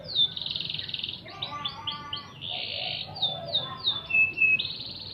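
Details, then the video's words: Canary song for training magpie-robins: a buzzy rolled trill opens, then a run of quick rising-falling chirps, another long churring roll, and a thin clear whistled note near the end. "Masteran Kenari untuk Murai suara asli kenari"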